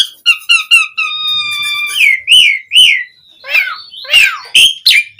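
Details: Asian pied starling song for luring other starlings: a quick run of repeated harmonic notes, a steady whistle, arched whistled notes, then harsh scratchy bursts and sharp chirps.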